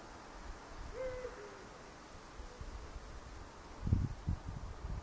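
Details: A Eurasian eagle-owl gives one soft, low hoot with a short lower tail note, distant and quiet. Bursts of wind buffeting follow. Recorded on a Fujifilm X-T4 camera.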